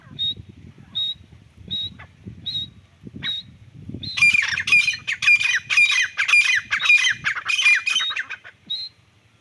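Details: Chukar partridge, called irani teetar, giving a loud harsh chattering series: a few short clipped notes spaced under a second apart, then a dense rapid run of squawking, chuckling calls for about four seconds, then one last note.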